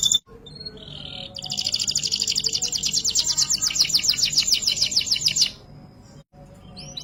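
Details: Canary singing a ngerek-style passage: a short low buzzy note, then a sustained, very rapid rattling trill of high pulses lasting about four seconds before the song stops abruptly.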